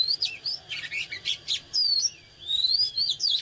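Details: Loud, energetic oriental magpie-robin song, the fired-up 'căng lửa' kind: quick sweeping whistles and harsher chattering notes, a short gap, then long slurred whistles rising and falling.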